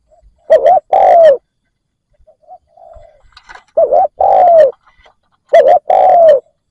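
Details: Spotted dove decoy calling to entice wild doves. It gives three two-part cooing phrases, each a short wavering note then a longer descending note, spaced about two seconds apart, with faint soft chatter between them.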